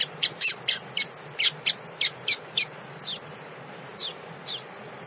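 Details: Female double-collared seedeater calling to stimulate males, giving a string of about twelve short, high, sharp chip notes, quick at first and then slowing to irregular gaps, against a faint low background hum.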